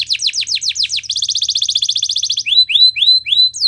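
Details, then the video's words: Belgian canary in song: a run of falling whistled notes, a rapid even trill of about twenty pulses, then rising slurred chirps. "Belgian Canary Song That Fascinates Everyone!!"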